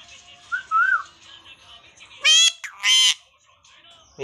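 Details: Talking parrot in a small room: a soft whistled rising and falling phrase, then two loud, rough, voiced bursts like short spoken words, ending with a low thump.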